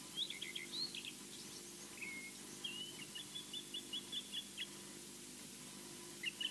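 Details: Osprey at a nest on a live camera at Loch Garten, Scotland, returning after a flyaround: faint, thin whistled chirps in quick runs, the longest a steady string of about eight even notes, over a constant background hiss.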